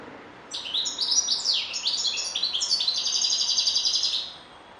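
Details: A European goldfinch delivers quick downward-slurred chirps, then a long, fast rattling trill of high tinkling notes that carries on for about two seconds before stopping abruptly.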